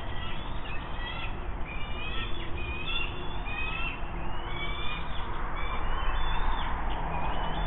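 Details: Bald eagles at a nest cam along the Monongahela River at an Irvin steel plant in West Mifflin, Pennsylvania, on 8 June 2024, as an adult brings in a fish and shares it. High, thin chirps repeat in short series over a steady industrial rumble.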